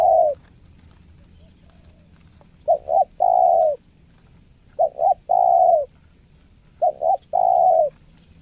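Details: Spotted dove in a training session, a caged bird used as a decoy, repeating a low mellow coo phrase: two short notes then one long drawn coo, about every two seconds, over steady background hiss.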